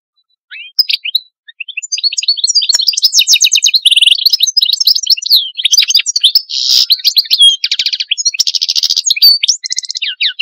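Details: Algerian European goldfinch singing a long, fast, continuous stream of high twittering and tinkling notes, with buzzy trills and rapid chirped phrases running almost without pause, clear and close with no other sounds.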